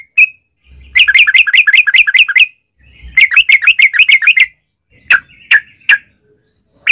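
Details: Yellow-vented bulbul giving its fast 'ropel' chatter, meant as a lure so other bulbuls sing; a lone note, then two dense runs of bubbly chirps, followed by a few separate sharp notes and faint hum.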